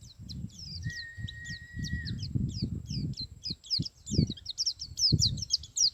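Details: Male white-eye in the wild singing a run of quick, high, slurred notes over steady low rumbling background noise, with a level, thin whistle from another source early on.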